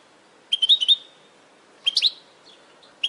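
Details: Short twittering phrases of a European goldfinch from a training recording for caged birds: two quick clusters of high, liquid chirps about a second apart, then a lone note, over quiet background.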